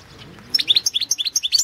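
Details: Competition recording from the 2016 World Championship in Goldfinch Song: a Balkan European goldfinch (Carduelis carduelis balcanica) sings a rapid, high, tinkling run of bright chirps and twitters, about eight notes per second, after a quiet start.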